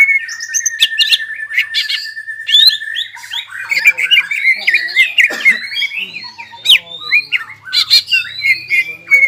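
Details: Greater green leafbird in full ngobra and jamtrok song: opens with a long steady whistle, then tumbles into fast chirps, sharp clicks and looping whistled slurs without pause.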